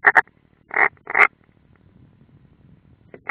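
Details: Nest-camera recording of a European roller in the Ādaži training area, Latvia, June 2016: a double rasp, then two longer hoarse, scratchy notes, followed by quiet with a faint final note.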